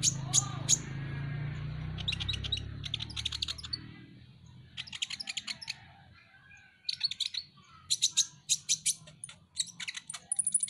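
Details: Van Hasselt's sunbird (Leptocoma sperata), a bird kept and prized for its singing, gives bursts of very high, thin ticking notes in quick runs. Softer twittering and a low hum run underneath, then sharper notes return near the end.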